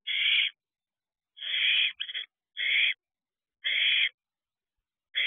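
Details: Wild owlets in an owl box at night, around 1:18 am in late June, affectionately allopreening one another: harsh breathy hisses, each about half a second long, come at irregular intervals, with one short double hiss.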